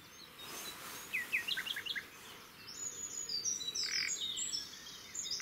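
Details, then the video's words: A well-hidden Common Nightingale, able to sound like a croaking frog, sings at dawn (5–7am) at Woods Mill, Henfield, West Sussex on 30 April 2017: sharp mid-pitched chirps, then very high thin whistled and rattling phrases over soft hiss. "a Nightingale with the ability to sound like a frog croaking!"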